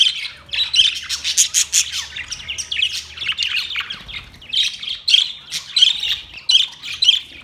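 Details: White and green parrots in a colony chatter and screech in rapid, rasping bursts, with a brief quieter gap midway before the calling resumes.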